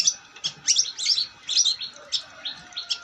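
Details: Vigorous long-tailed shrike song: jumbled, very high scratchy notes and squeaky slurs delivered in quick irregular bursts.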